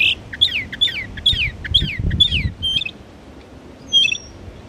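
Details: Northern mockingbird in Belle Isle Marsh Reservation, East Boston, Massachusetts, imitating other birds: five repeated slurred whistled phrases, followed by a couple of different short notes and a quieter high whistle.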